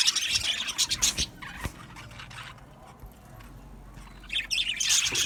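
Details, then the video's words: Aviary budgerigars burst into loud, scratchy chirping chatter, fall nearly quiet for a couple of seconds with a few soft knocks, then erupt into busy twittering again at the end. "Budgies Chirping sounds"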